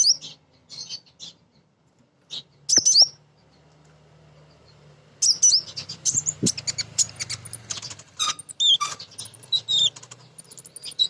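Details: Female kolibri ninja sunbird singing as a lure to provoke other birds: a few scattered high chirps, a quiet stretch, then a long busy run of sharp twittering notes and rising flicks.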